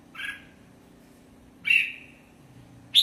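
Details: Red-whiskered bulbul giving two harsh, buzzy notes about a second and a half apart, each sliding down slightly and trailing off, with a third note starting at the end, over a faint steady low hum.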